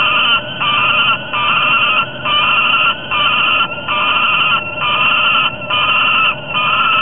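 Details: Falcon pair at a Topeka nest on a July 2010 night, one refusing the other entry: loud, harsh, strained wails repeated about once a second in a steady insistent series, with barely any pause between notes.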